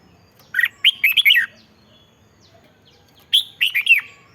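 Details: Red-whiskered bulbul singing, meant to get caged birds excited: a bubbly phrase of five chirped, looping whistles, then a pause and a shorter matching phrase.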